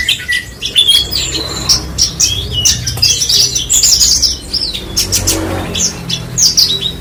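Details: Horsfield's bushlark giving rapid, jumbled high twitters and thin whistled phrases in loud bursts, with a soft low hum behind.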